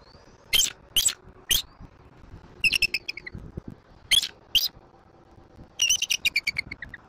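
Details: Bald eagle at a nest in Southwest Florida, recorded by a nest camera on 1 May 2024 at 6:53: high, thin, piercing chirps and staccato chattering runs in bursts, with occasional soft knocks.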